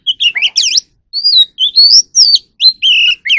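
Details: Caged magpie robin in song training for competitive singing: a burst of fast chattering notes, then clear rising and falling whistles and a sustained buzzy note, loud and varied.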